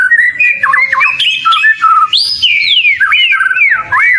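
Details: Close, loud song of a caged oriental magpie-robin, with warbled twitters, a long steady mid whistle, then bright rising and falling slurs, over faint low background noise.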